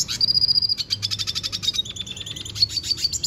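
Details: Venezuelan goldfinch singing: a long high thin whistle followed by a fast run of dry buzzy chirps, then twittering notes with sharp high accents over a faint low hum.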